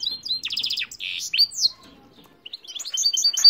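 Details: Song of a goldfinch crossed with a canary: rapid rattling trills and buzzy bursts, a brief pause, then quick repeated high twittering notes.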